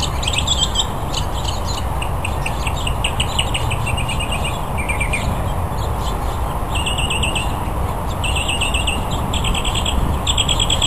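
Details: A male northern mockingbird sings to attract a mate at the Cal State Fullerton Arboretum, also dancing; rapid bursts of the same high chirps repeat in series, pause, then resume as new phrases, under constant loud hiss.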